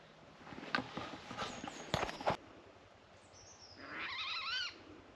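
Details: An unseen water rail hidden in dense reeds at Avalon Marshes, Shapwick Heath, Somerset, in winter gives a single strange, pig-like squeal: a wavering, nasal screech under a second long, preceded by a few sharp knocks and rustles.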